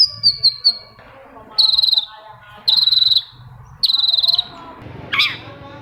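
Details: Long-tailed shrike singing to trigger song in other shrikes: three quick whistled notes, then three dense buzzy rattling bursts about a second apart, ending in a sharp downward squeak.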